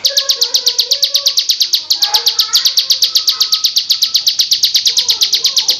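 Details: Loud, continuous ngebrem song of a female bar-winged prinia: rapid high chips pulsing in a fast steady rhythm throughout, with faint low chatter of other sounds underneath.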